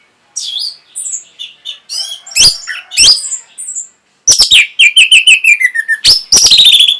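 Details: Singing orange-headed thrush, played to stimulate breeding and prompt an answer: assorted high twittering notes with a brief pause, then a rapid series of falling whistles and harsh clicks.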